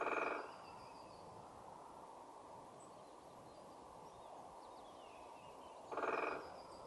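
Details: Great spotted woodpecker drumming on a tree in UEA woods: two rapid, rattling rolls, each about half a second, six seconds apart, over a steady outdoor hiss.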